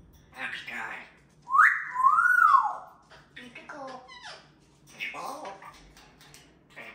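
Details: Three parrots in a playful, lively exchange, one interrupting the other two: speech-like murmurs and a loud, smooth whistled phrase that rises then falls, followed by scattered short chattering notes.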